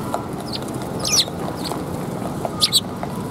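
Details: Sparrows coming to a Tenmangu shrine for food on 24 February 2021 give two short, high chirps about a second and a half apart over steady low background rumble.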